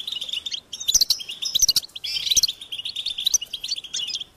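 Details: European goldfinch chicks calling for food with high-pitched, insistent begging: fast, uneven chirping, about one and a half notes per second in clusters, with brighter squeaky peaks.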